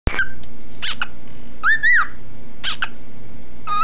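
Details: Male pet cockatiel (Nymphicus hollandicus), about 17 years old, whistles clear, arching notes with a few short chirps between them, over a steady low hum.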